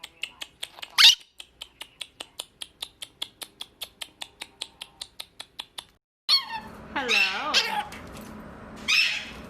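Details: Pet mitred conure in a small room: a long run of steady, evenly spaced clicks about every quarter second, then loud, harsh, harmonic squawks with wavering pitch.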